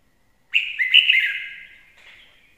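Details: Red-whiskered bulbul, praised as a sweet singer and proper lure bird, sings one loud liquid warbled phrase with several quick inflections, followed by a softer trailing note, over silence.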